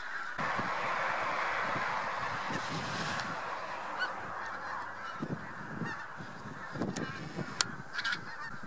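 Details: A huge spring-migrating flock of Taiga Bean Geese mixed with some White-fronted Geese at Lubiń near Trzemeszno, Poland, on 3–4 March 2018 gives a dense, continuous chorus of overlapping nasal honking, with a few louder calls standing out.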